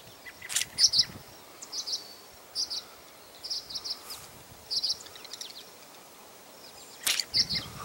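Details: Parent tree swallows dive-bomb an intruder who disturbed their nest box at Heartland Forest on 16 June 2021. They give short, high, sharp chirps in quick bursts about every second, with whooshing passes of wings or air between them.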